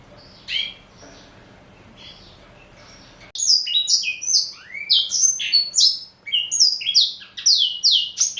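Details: Caged male black-throated canary aged four, a Somerini x Botswana cross: a few soft chirps, then from about three seconds a loud, dense burst of high slurred whistles and quick descending notes, repeated without pause.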